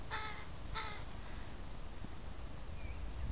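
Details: Crow family with young crows in a park: two short harsh caws in quick succession near the start, then a faint distant bird whistle, over steady low rumbling background noise.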